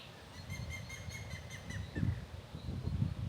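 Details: Grey-headed woodpecker (Picus canus) in a Hungarian woodland, calling while it fed, gives a run of about eight clear, whistled notes that sag slightly in pitch over low rumbling and thumps of wind or handling.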